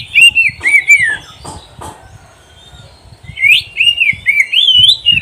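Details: Oriental magpie-robin (kacer) song used as a tutor recording for training pet birds to sing and win contests: loud, sweet whistled phrases slurring up and down, a short burst, a pause of about a second, then a longer warbled run with sharp high notes.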